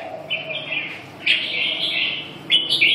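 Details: A red-whiskered bulbul gives clear, loud warbled whistles in three quick phrases, the middle one longest and slightly wavering, with a soft lower tone beneath.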